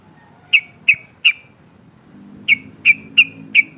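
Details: Calling female sooty-headed bulbul luring rivals: crisp high 'cok' chips about a third of a second apart, a group of three, a short break, then four more, with soft low background rumble.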